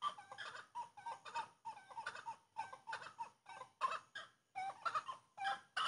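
Grey-cowled wood rail giving loud, cackling, rhythmic phrases in quick bursts, about one each second, harsh and gobbling with rising and falling notes.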